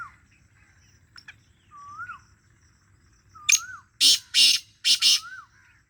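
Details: Black francolin calling: a short burst of loud, harsh, rasping notes grouped one then two, preceded by a scattered faint click. A softer slurred whistle repeats at intervals before and between them.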